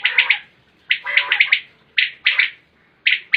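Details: A common quail (Coturnix coturnix) calls its liquid, clipped three-note 'wet-my-lips' phrase, repeated about once a second, with no other sounds in the background.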